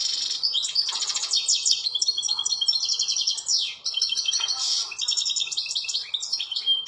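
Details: Outdoors in nature, a European goldfinch pours out a lively twittering song of rapid trills, buzzy chatters and quick upslurred whistles, with a low steady background hiss.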